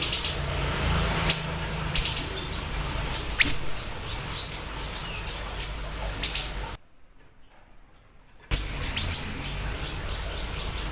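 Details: Siri-siri bird giving sparse high chirps that speed into a rapid repeated series. Song stops for a short silent break, then resumes as quick, evenly spaced high notes.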